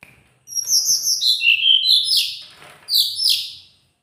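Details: Teledekan gunung singing at full strength: a bright, high stream of overlapping whistles and slurred notes that falls step by step, then a brief dip followed by a second loud burst of strained, piercing phrases.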